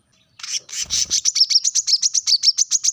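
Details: A brown-throated sunbird's piercing call to rivals: after a brief rough burst, quick high chirps tumble out at roughly five per second, each note short and sharp.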